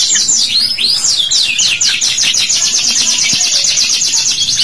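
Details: Long 'cuit cuit' song of a canary, used to coax young birds into singing. Dense, very high trilled notes pour out continuously, a fast ringing rattle of curved chirps after a few looping opening whistles.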